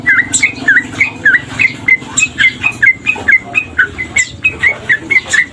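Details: Tame male sooty-headed bulbul singing vigorously, a steady series of short chirpy notes, some dipping and rising, delivered about four per second, with a soft low background hum.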